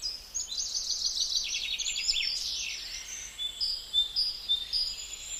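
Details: Gouldian finch (Chloebia gouldiae) giving a thin, very high, buzzy chatter, a rapid run of scratchy notes sliding downward, then scattered faint high whistles against a soft background hiss.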